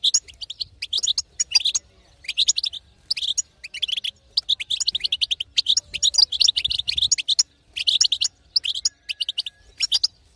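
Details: European goldfinch female's 'batbata' calling, used to excite a quiet male to sing: clusters of fast, bright, tinkling chirps in groups of about a second, separated by brief silences.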